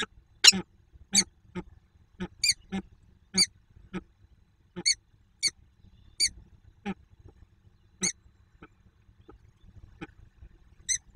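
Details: Quacking of a female peregrine falcon during an almost silent meeting, Słupsk, Poland, 2 June 2022: brief rasping notes spaced roughly half a second to a second apart, gradually thinning out, with a faint low background rumble.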